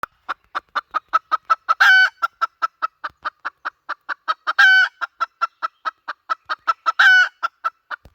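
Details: Hen calling, used as a lure: a steady run of short, clipped clucks, about four per second, broken three times by a louder drawn-out harsh squawk. No other sounds.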